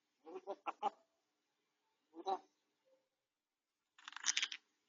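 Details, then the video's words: Grey parrot kept indoors, still talking while healing from a sore beak tip, caught on a home camera: a quick run of clipped word-like syllables, a single short utterance, then a harsher, noisier burst, with silences between. "아파도 말은 포기 못하는 앵무새"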